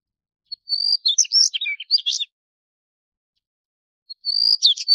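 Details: Two high song phrases from a Daurian redstart. Each begins with a sustained thin whistle and runs into a quick, warbling chatter of scratchy notes, with a pause of nearly two seconds between them.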